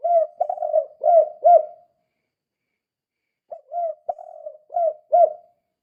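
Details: Spotted dove calling strongly, a kuk 2 type meant as a lure for other doves: two matching phrases of low, throaty coos, each about five notes, with a pause of nearly two seconds between them.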